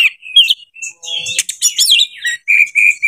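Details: Oriental magpie-robin in breeding condition, singing to provoke other birds: quick mix of chirps, twisting whistles and buzzy notes, ending in a string of steady short whistles.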